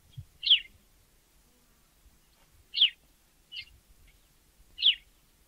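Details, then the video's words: African sparrow calling with single high chirps spaced irregularly, roughly one every second or so, each note short and slightly descending, over a faint low background hum. "Воробей. Африка. Голоса птиц"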